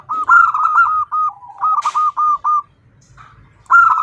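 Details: Female zebra dove calling to a male: a rolling burst of cooing notes, then a lower drawn note and five short, evenly spaced coos, ending after a pause with another burst.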